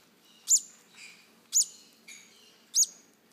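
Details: Hand-fed baby green-cheeked conures beg with loud, piercing chirps about once a second, each followed by a fainter, lower, scratchy note.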